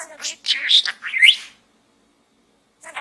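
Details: Pet budgie talking while inside a small gourd: about a second and a half of fast, high, scratchy chattering with speech-like warbles, then silence before a brief chatter returns at the end.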